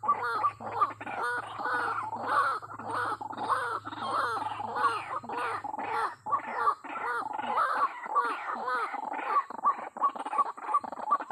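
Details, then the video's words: White-breasted waterhen lure call used to attract wild waterhens to a trap: dense, harsh, croaking notes repeated rapidly and overlapping without pause, like several birds calling together, with a steady low hum beneath. "suara pikat ruak ruak ini membuat ruak ruaknya cepat datang/auto gacor"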